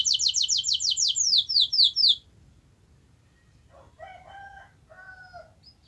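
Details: Canary trill played to stir a silent canary to sing, a fast run of repeated high notes lasting about two seconds that slows and drops slightly, followed by quiet with faint lower whistled notes.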